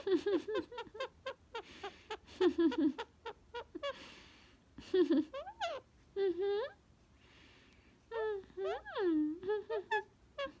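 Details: Pet male Indian ringneck parakeet laughing and talking while given a hat as a game: choppy speech-like syllables mixed with drawn-out rising and falling squeaky notes.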